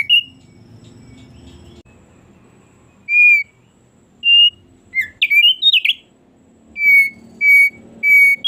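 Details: Thick-billed heleia singing very actively: separate clear whistled notes near one pitch, with a burst of quick twittering, slurred phrases around the middle, then steady whistles repeated about every half second toward the end.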